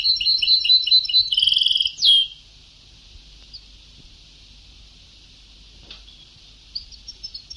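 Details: Sebtawi-style goldfinch song from an old tape: dense high twitters and a brief buzzy trill ending in a sharp slur, then mostly soft hiss with faint chirps returning near the end.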